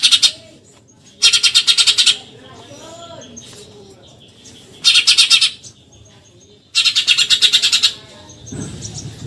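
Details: Tutor recording of a Eurasian tree sparrow's 'tembakan nyerecet' chatter: four loud rattling volleys of quick harsh notes, the first clipped, with softer twittering between and a brief low thump near the end.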